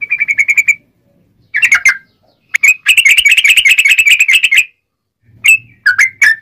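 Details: A sooty-headed bulbul with a sharp, clear, rolling voice, used as a lure for wild birds. It gives a short fast trill, a few scattered notes, a long, dense, rapid roll, then some clipped whistles.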